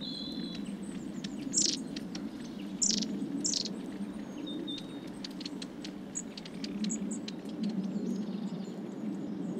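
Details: A winter flock of long-tailed tits at suet feeders, Saltersford Locks, Cheshire, giving scattered high thin calls and a few louder sharp notes, with a constant low rumble of background noise throughout.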